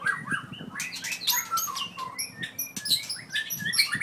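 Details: From Merapoh, Pahang, a 4-year-old white-rumped shama with a 7.6-inch tail delivers rapid high chips, clicks and short whistled notes in a busy jumbled stream, with faint low humming behind.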